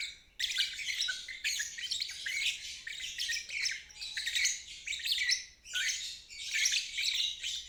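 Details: A lovebird's ngeriwik trill, meant as therapy for stalled or juvenile birds; after a short silent start, loud chattering bursts alternate with brief drops roughly every second.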